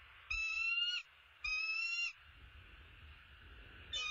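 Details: At the nest where a male bald eagle arrives with an opossum: two clear, high tonal bursts half a second each, then quiet with low rumbling, and a third call starting at the very end.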